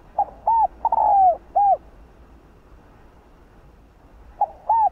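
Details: Hollow cooing of a spotted dove in the 'hạp bổi' voice, played to rouse other birds: one complete four-part phrase with a long sliding middle coo, a long silence, then the opening two notes of the next phrase.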